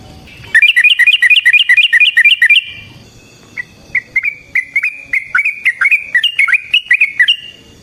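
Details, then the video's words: Sooty-headed bulbul, long rapid lure and training song: a tight rolling burst of fast, evenly spaced chirps, a short pause, then a looser series of rising and falling whistled notes quickening toward the end. "Burung TRUCUKAN GACOR Ropel Panjang Cocok untuk PANCINGAN Trucuk bahan dan MASTERAN Burung Trucukan"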